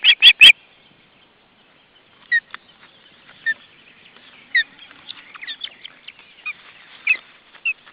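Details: Ospreys during family life at the nest in June 2012, Estonia: loud harsh chirping calls at the start, then scattered sharp squeaky whistled notes over a quiet hiss.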